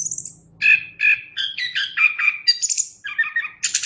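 A Chestnut-capped Thrush sings a rapid, varied run of clear whistles and warbled chirps, opening with a thin high note and ending in a bright burst.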